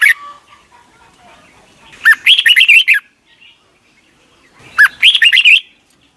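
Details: Singing Red-whiskered Bulbul from Thailand, a song played to teach young caged birds. After a brief opening note, two lively phrases of choppy, rising and falling whistles come about two and a half seconds apart.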